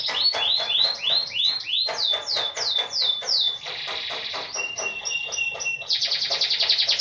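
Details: Yorkshire canary rolling song: a series of quick descending whistled sweeps repeated several times a second, shifting into a buzzy passage, a flat tone and a final rapid trill.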